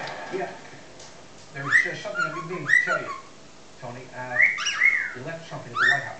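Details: Young pet cockatiel, six months old, sings imitated tunes, the Chocobo melody and Addams Family theme, mixed into mashups. Short bursts of rising, swooping whistles come in groups, separated by quiet gaps, with television voices murmuring underneath.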